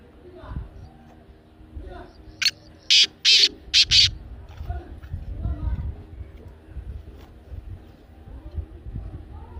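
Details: Black francolin calling, used to set off a pet francolin: a rough phrase of four or five scratchy, buzzy notes in close succession midway through, with soft background murmur before and after.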